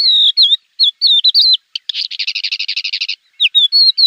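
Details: Javan bush lark training song meant to make untrained birds respond: clear whistled slurs and chirps open the phrase, then a dense buzzy rattling stretch of quick repeated notes, then more whistles, in a quiet background.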